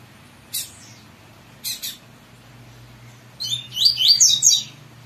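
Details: Captive double-collared seedeater of the tui tui style. A few sharp clicks come first, then a short burst of quick, high, twittering notes near the end.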